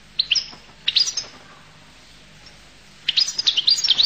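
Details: Collo goldfinch gives short high chirpy phrases, a brief twittering burst, then after a pause a longer run of quick liquid twitters and sharp notes.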